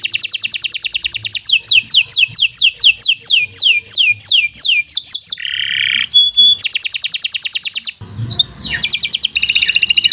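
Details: Canary giving a long nonstop performance as a tutor recording: a run of about twenty quick downward-slurred whistles, a buzzy rasp, pure piping notes, a fast trill and a short scratchy passage.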